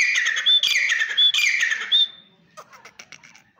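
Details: Desi teetar, the grey francolin: three strident, grating phrases in rapid succession, each ending in a short clear whistle, followed by faint scattered clicks and soft background sounds.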